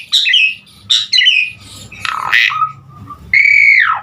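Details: Jalak suren in gacor full isian song for prompting starlings to sing: two harsh scratchy bursts, a rough grating phrase, then a long clear whistle that slides downward.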